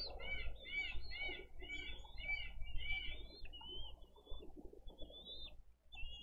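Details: A bald eagle chick asks for food in a wild Dade County nest on 20 April 2023, with older and younger siblings present. Rapid series of arched chirping notes, then drawn-out high whistles, over steady low wind noise.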